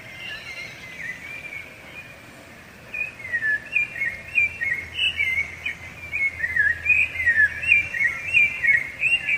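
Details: Rufous-bellied thrush, Brazil's national bird, singing a strong song that marks territory and attracts females; after a quiet start, varied whistled phrases rising and falling, delivered in a steady run of short notes.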